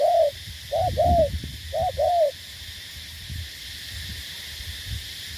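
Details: Cà Mau decoy spotted dove from southern Vietnam uttering three brief hollow coos, one short and two longer arched notes, then falling silent while low rumble and faint thumps continue.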